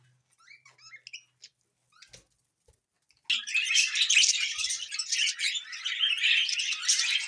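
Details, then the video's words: Happy pet budgerigar: a few soft, scattered chirps at first, then from about three seconds a dense, continuous, buzzy warbling chatter of rapid high notes that carries on to the end. "Happy Budgie Sounds"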